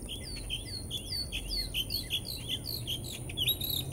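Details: Northern mockingbird singing in Americus, Georgia: a fast run of repeated slurred, downward-sweeping whistled notes, several per second, steady and high, over a faint background hum.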